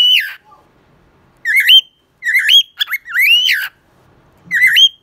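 A cockatiel sings a run of loud, rising whistled phrases, each swooping upward with a harsh edge, about one every second, in a quiet room.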